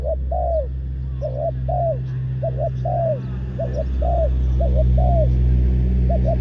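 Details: Spotted dove used as a ground decoy for trapping wild doves, calling in repeated soft two-part coos that rise then fall, several phrases run together over a steady low hum.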